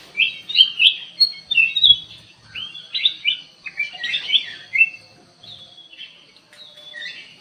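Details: Caged black-crested bulbul in an aviary delivering a lively run of short, bright whistled and chirped notes, about one per second, some slurring up and down, fading toward the end.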